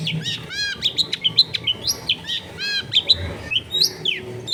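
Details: Caged long-tailed shrike (cendet) in a busy residential area, singing a lively mimicking sequence of arched chattering notes, short rising whistles and sharp high chips in quick succession.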